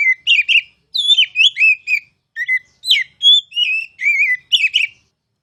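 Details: Singing oriental magpie-robin (kacer), recorded as a loud masteran for training other birds: quick sequences of sweet whistled notes, bent slurs and chattering flourishes delivered almost without break, each phrase differently shaped, with a clean quiet background.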